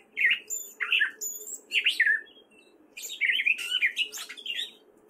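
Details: In Fairfield, Iowa, a spring male gray catbird sings short squeaky, slurred phrases, then after a pause a rapid scratchy warbling run, over a low constant hum.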